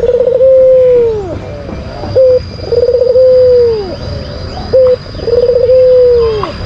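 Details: Lure song of a white collared dove, kept as a cage bird in Indonesia: long, level, softly trilled coos that drop away at the end, each followed by a short clipped note, repeating about every two and a half seconds.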